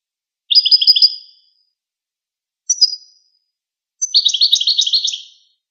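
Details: Goldfinch chittering: a quick run of paired high tinkling notes, a short sharp call, then a longer rapid twittering phrase, all high-pitched and clear against silence.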